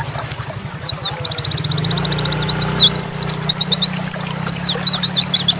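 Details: Nembak-style song from an Oriental white-eye of the dakun variety: high, fast chips rolling into an even trill, then jumbled swooping whistles. A low mechanical hum runs through the first two seconds.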